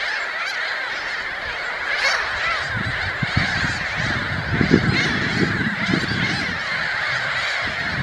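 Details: Glossy ibis making low, croaking grunts that grow busier in the middle of the recording, set against a dense, steady background of higher-pitched bird chatter.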